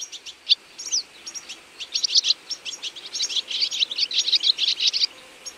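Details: Feeding flock of European goldfinches in autumn: a busy chatter of bright, tinkling chirps and twitters from several birds, growing denser toward the end.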